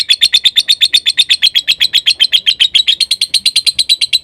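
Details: A lovebird's konslet song, a fast, regular series of sharp, shrill chirps, around four per second, holding an even high pitch throughout. Used as a recording to coax silent lovebirds and young birds into singing.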